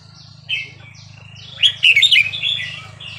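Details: Burmese 3-4-5-6 song of a red-whiskered bulbul, used to train young birds: a couple of thin whistled notes, then a loud rippling cluster of liquid warbles, over a steady low background drone.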